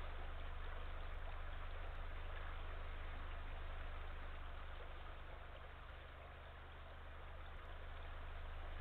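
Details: A constant low engine-like rumble mixes with the hiss of running water, and no animal calls.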